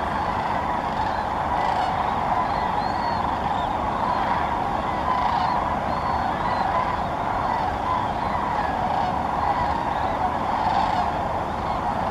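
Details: Large flocks of sandhill cranes gathered on Muscatatuck National Wildlife Refuge in Indiana; many birds call at once in a continuous rolling clamor, with occasional distinct higher bugling strokes standing out around three, five and six seconds.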